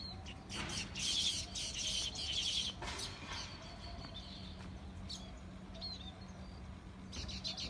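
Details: Loud twittering bird chirps early on, fading to sparser, scattered high notes with faint background noise.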